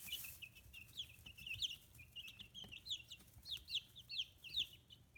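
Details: Fifteen-day-old chicks kept free-range in Kitahiroshima, Hiroshima Prefecture, Japan, now growing feathers: repeated high falling peeps, quieter at first then building to loud, evenly spaced chirps toward the end.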